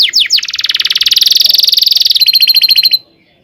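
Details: Canary's tutor song for teaching young canaries. Three quick falling whistles open a swelling buzzy roll that gives way to a finer, higher trill, which stops abruptly into silence.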